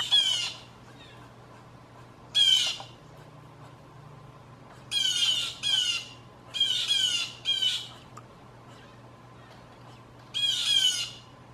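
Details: Loud group alarm calls of blue jays in a backyard, false alarms that trick gray squirrels and people: a run of harsh, buzzy jeers, single and paired, scattered across about eleven seconds with low hum.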